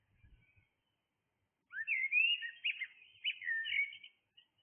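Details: Blackbird in early morning song, starting after a quiet gap with a rising whistle that runs into a fluid, tumbling warble of mellow notes for over two seconds.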